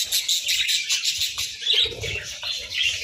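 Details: Budgies eating boiled eggs and bread at breakfast in winter make a dense, noisy mix of high twittering chirps, with soft low knocks throughout.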